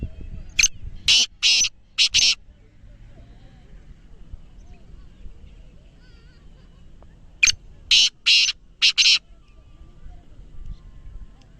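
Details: Black francolin kept in captivity, a speeder chakri wala kala teetar, utters two loud grating phrases roughly six seconds apart, each a rapid run of four or five coarse, rasping notes, with faint murmuring and low rumble between.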